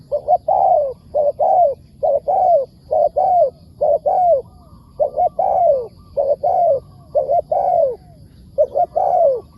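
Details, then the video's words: Spotted dove, a wild bird answering a decoy, repeating its cooing phrase over and over: two short hollow notes then a longer falling coo, about a dozen phrases in steady rhythm. "เสียงดี มีคารมป่า"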